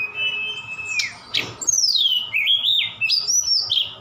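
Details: Song of a Javan bush lark from Sukabumi, rich in borrowed phrases such as cililin and sikatan londo: a long flat whistle, a sharp downward sweep, then a descending slurred whistle breaking into a warbling run.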